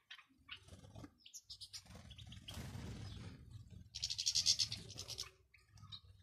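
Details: European goldfinch calls from male and female, used to prompt a caged male to sing: brief scattered high chirps, a rushing noise burst midway, then a loud fast high twitter lasting about a second before fading.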